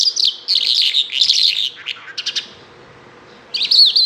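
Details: Bimaculated lark singing, likely caged: dense high warbled phrases of buzzy, scratchy notes, a pause after a few rapid clicking notes, then the jumbled warbling resumes; faint steady hum underneath.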